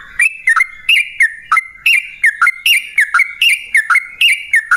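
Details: Prolific yellow-vented bulbul song meant to draw other bulbuls into singing: clear whistled two-part notes, each dropping in pitch, repeated steadily in a bouncing rhythm throughout.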